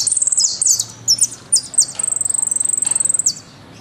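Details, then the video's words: Argentine goldfinch song in the "golpe y pitadas" style. Sharp, very high, separate whistled notes and short phrases lead into a long, fast, even trill of rapidly repeated notes, which then stops abruptly. "JILGUERO AUDIO"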